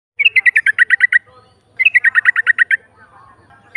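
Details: Female sooty-headed bulbul giving a rapid ngropel chatter meant to provoke rival birds: two bursts of about ten quick, sharp, slightly falling notes, each burst about one second long and separated by a short pause.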